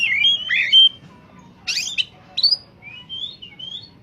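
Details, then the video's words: Oriental magpie-robin singing in top form as a lure for catching birds, giving rich warbled whistles, then a harsh burst and sliding whistled phrases that fade softer toward the end. "suara burung Kacer saat sedang on fire!!!! pancingan burung bakalan/ pikatan"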